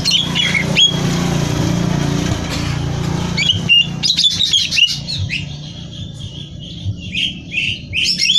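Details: Greater green leafbird singing loudly and nonstop, for song-competition training; after a noisy, rumbling first half, rapid high whistled and chattering phrases come in quick bursts over a steady low hum.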